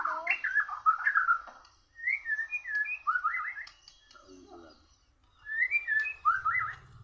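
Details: Murai singing against a Borneo bird: bursts of rich whistled and warbled phrases separated by brief pauses, with a few soft lower notes in between.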